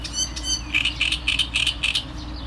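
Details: Short Great reed warbler phrase: a couple of higher squeaky notes followed by a steady series of harsh, repeated croaking syllables.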